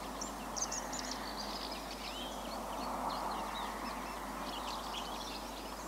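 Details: Common house martins resting on a 20,000-volt power line between Corrèze and Haute-Vienne, Limousin, central France, during an hour-long migration stopover on 24 September 2015; many high, short chirping calls overlap throughout against a steady broad rushing background noise.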